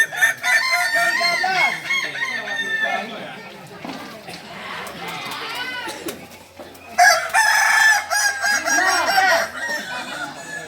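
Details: Kukuak Balenggek roosters, a native singing chicken of Solok, in crowing-performance practice: several overlapping long crows with rapid stepped, wavering syllables, a brief lull midway, then a loud burst of layered crowing near the end.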